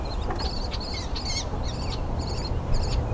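Northern Flicker chicks beg in a high, buzzy chorus of about six bursts in three seconds, over a steady low rumble.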